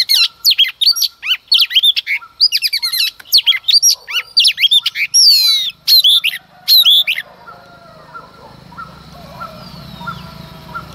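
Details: Female Oriental magpie-robin singing in the early morning to provoke males: a rapid, varied run of high whistled and chattering notes for about seven seconds, then near silence with faint background sounds.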